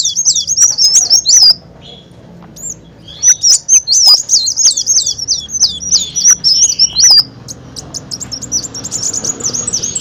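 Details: Olive-backed sunbird song played as a lure to attract birds: rapid, very high, wavy twittering phrases in bursts, with a long run of sharp trilled notes in the middle and a faint low hum underneath.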